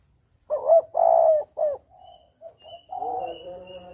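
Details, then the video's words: Spotted dove cooing as a hunting lure, in the double-kuk style: three loud, mellow, hooting coo notes in quick succession, the middle one longest, followed by softer trailing coos and a faint high whistle. "Suara pancingan Tekukur || suara pikat tekukur || mp3 suara tekukur jernih"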